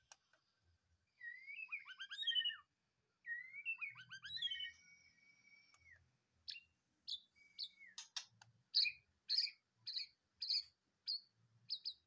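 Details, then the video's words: White-rumped shama freshly moved from a breeding cage, in full song: rich descending trilled whistles and a long steady whistle, then a series of sharp high chips and clicks roughly every half second. "di cabut dari kandang ternak langsung gacor"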